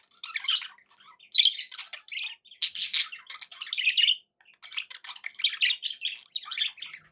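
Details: Pet budgerigars chattering indoors: dense bursts of rapid warbling, chirps and short squawks, pausing briefly between phrases, with no other sounds.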